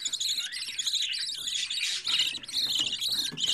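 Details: Fourteen-day-old budgerigar chick raised indoors as a hobby bird, giving a dense, nearly continuous stream of scratchy, buzzing rasps with brief dips, loud and close.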